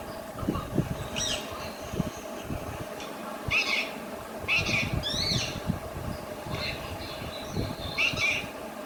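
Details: Pet Alexandrine parakeet talking in Urdu/Hindi, giving raspy, speech-like syllables in short bursts with pauses, several harsh broadband squawks, over a steady background hum.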